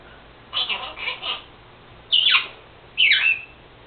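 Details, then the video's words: Captive Senegal parrot kept as a pet, talking and mimicking its owner's sneezes; a run of three quick speech-like syllables, then two separate loud, falling, rasping squawks about a second apart, indoors. "Senegal parrot Lucy talking...and making sneezing sounds.."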